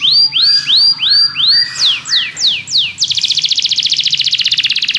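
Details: Belgian canary song meant to get other canaries singing: loud rising whistles repeated about every third of a second, then steeply falling swept notes, ending in a fast rolling trill.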